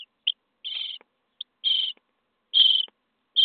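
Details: Common starling nestlings on day 23 begging while being fed inside a nest box: harsh, rasping high chirps in short bursts, some drawn out, separated by brief silences.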